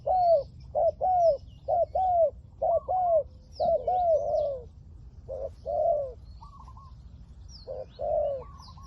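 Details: Decoy spotted dove of liu tan voice calling to attract wild doves: quick series of paired coos, short then longer and bowed, slowing toward the end, with light chirps of small birds in the background.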